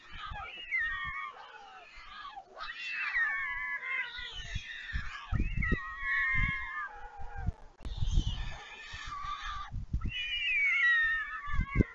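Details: Fledged white stork siblings back on the nest at Leemansmolen, Vriezenveen, Netherlands, 11 July 2022, begging as the parent feeds them. Nasal mewing wails rise and fall in several bursts, mixed with low thumping buffets.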